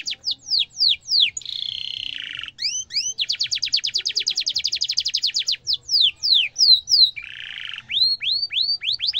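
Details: Energetic canary singing a sharp rolling cuit-cuit song used to tutor young canaries. Quick high downslurred whistles give way to buzzy rattles and a long fast trill of repeated notes, then more sweeping whistles.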